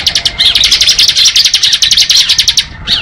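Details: Bar-winged prinia singing in the ngebren style: a fast, dense run of sharp high chirps repeated several times a second, with a brief pause before a final short burst.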